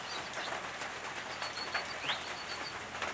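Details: Eastern brown treecreeper (subspecies victoriae) using a nest box in the Capertee Valley, New South Wales, late August 2018: a steady string of thin, high, evenly spaced notes, one brief rising sweep, against dense crackling background.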